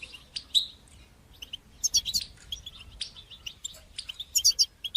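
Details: European goldfinch song in the batbata and sastasa styles, used to stimulate singing and teach young goldfinches; bright high twittering phrases with tinkling trills, separated by short pauses.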